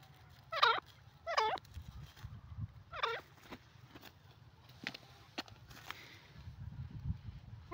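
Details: A pair of black francolins (dakhni teetar) calling: three harsh, buzzy, wavering notes in the first three seconds, then fainter clicks and short notes over a low background rumble.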